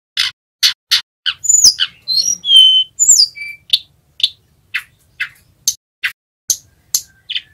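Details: Young male Sunda robin learning the ngerol song, used to stimulate other birds: a run of short buzzy, harsh notes about every half second, broken midway by a few clear high whistles and slurred notes.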